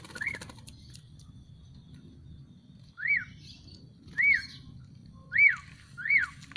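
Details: Black-collared starling just bathed and dried in the sun, giving loud arched whistles that rise and fall. Five are spaced irregularly over several seconds, with quiet pauses and a faint low rumble beneath.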